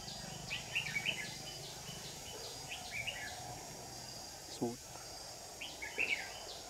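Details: Trapping session with a red-whiskered bulbul decoy luring rivals, 9 July 2019: short, bright chirpy warbled phrases repeat several times against a constant insect drone, with a brief knock and a man speaking.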